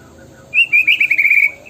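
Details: Murai batu, or white-rumped shama, delivering a brief tembakan phrase: a bright, fast warbling trill held at one pitch for about a second.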